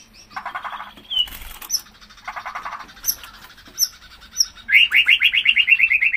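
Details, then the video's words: White-rumped shama singing energetically, used to prompt other shamas to sing: varied chattering phrases with short sharp whistles, ending in a loud rapid rolling trill of repeated notes. "Murai Batu GACOR Cocok Buat Merangsang Murai Anda Agar Cepat Gacor BUKA PARUH"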